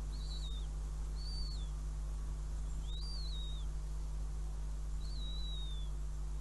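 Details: Northern goshawk at its nest in Riga, 5 June 2016, with a mouse brought as prey. Four high, thin whistled calls, each wavering then sliding down, come roughly every one to two seconds over a constant low hum.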